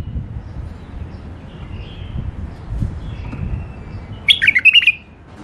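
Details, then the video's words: One caged, tame bulbul from a male-female pair sings a single burst of bubbling whistled notes near the end, preceded by soft background murmur. "بلابل اليفات قفص تغريد حلو"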